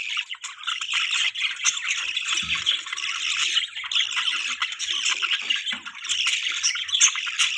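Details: Budgies feeding their young in the morning: a steady wash of scratchy, squawking chatter with overlapping chirps throughout, hardly pausing.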